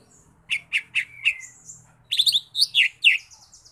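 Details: Lesser green leafbird, known locally as cucak ijo mini, singing: several separate sharp downslurred chips and a short whistle, then a rapid burst of bright high chattering notes, over a faint low hum.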